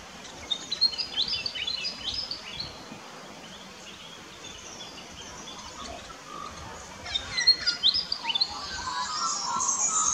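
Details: Red-browed finch in an Australian backyard garden giving thin, very high-pitched chirps in quick irregular bursts, with lower twitters from other birds and a steady outdoor hiss.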